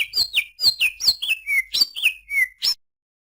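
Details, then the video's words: Greater green leafbird giving a series of about ten loud, clear whistles, each sweeping sharply downward, spaced roughly a quarter second apart. "suara burung cucak ijo"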